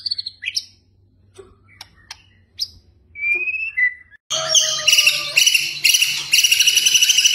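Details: Training recording of White-rumped shama, kretekan style to rouse emotion: scattered sharp chips and thin whistles, then a loud dense buzzy rattle with steady whistled tones beneath.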